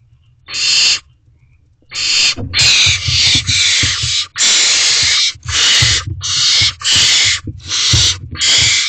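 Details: Barn owl nestlings in nest box C on 12 May 2023 at 8:45 pm, competing for food while their mother grabs the prey. About nine harsh, hissing screeches, each roughly half a second long, come in close succession.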